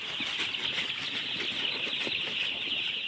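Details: Baby chicks chirp in a dense, high, even chorus of piercing little peeps, some brief brighter cheeps poking out, with soft low thuds in the background.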